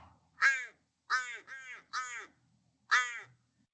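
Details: Little Crow giving four flat, nasal caws, two in quick succession, each about a third of a second, with no other sounds; a species found only in the really dry parts of Australia.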